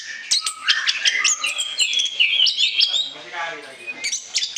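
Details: Orange-headed thrush delivering full 'ngoceh ngeplong' song for use as a lure, packed with quick chirps, buzzy slurs and sharp clicks, then whistled phrases that soften briefly before rising again.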